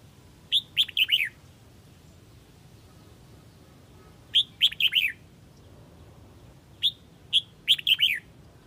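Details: Calling the flock, a red-whiskered bulbul of the Huế type gives three phrases, each opening with separate clear whistles and speeding into a rapid cluster of bright swooping chirps.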